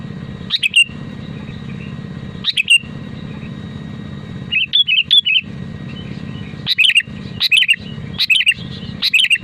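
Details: Sooty-headed bulbul song, used to prompt other bulbuls to sing; short bubbly whistled phrases around a few notes, repeated in clusters every second or two, over a loud broadband hum of traffic-like noise.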